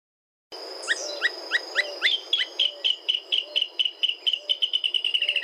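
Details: Russet-crowned crake (Laterallus viridis) of Brazil, song: a few sharp slurred notes that quicken into a fast, even run of high chattering notes, over a steady thin insect-like whine.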